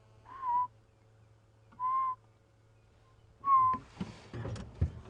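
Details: In the morning on a safari drive near a dam on 11 September, a Yellow-fronted Tinkerbird gives three hollow, piping notes, unusually slow at about one every second and a half, over a low engine hum and then rustling and handling noise.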